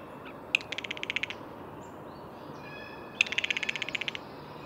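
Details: A blue jay gives two pulsed, grating calls about three seconds apart, each a fast run of repeated clicks, over a quiet background of distant birds.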